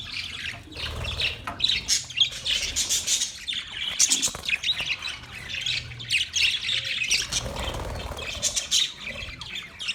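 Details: Continuous chatter of budgies, dense overlapping chirps, squawks and warbling trills at high pitch, with several abrupt clicks or sharp notes throughout and low background rumble.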